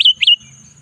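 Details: Two loud, rich slurred notes from a Sooty-headed bulbul in the afternoon, each sweeping down and flattening into a short whistle, delivered in quick succession.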